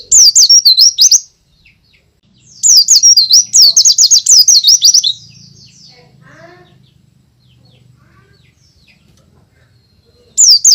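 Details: Loud, energetic forest-style song of a white-eye, suited to luring newly caught birds: short bursts of fast, high, twittering whistled notes sweeping up and down, separated by quiet gaps with a faint low murmur.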